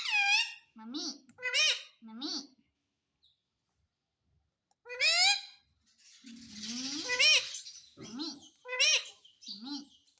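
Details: Talking ringneck parrot, a bird that says mummy and papa, gives repeated harmonic word-like phrases in bursts, with rising and falling strained tones, low voiced syllables between them and a pause mid-way.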